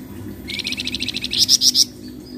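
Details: Flamboyan song used as a lure to get other birds singing: a fast, even trill of high buzzy notes lasting over a second, the last few notes louder and sharper, over a low steady hum.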